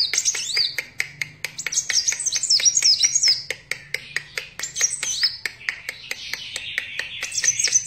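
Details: Vigorously singing sunbird called kolibri wulung or kaca, giving rapid high sliding chirps and trills in loose phrases, accompanied by steady sharp clicking and a soft buzzing passage near the end.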